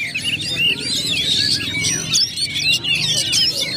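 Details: Caged Oriental magpie-robins in full song at a competition venue, many voices overlapping in a busy tangle of bright whistled phrases and quick chattering notes, with a low background rumble.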